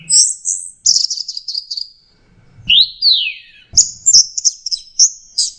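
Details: Orange-headed thrush singing, played as a lure for a stressed bird that will not sing; very high warbled and trilled phrases, a pair of loud rising and falling slurred whistles, then rapid varied high notes.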